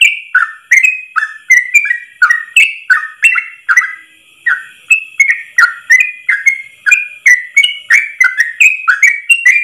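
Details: Nearly ten seconds of rapid Yellow-vented bulbul 'ropel' song in one long breath. Bubbly, cascading whistled notes follow each other densely, with only a brief pause near the middle.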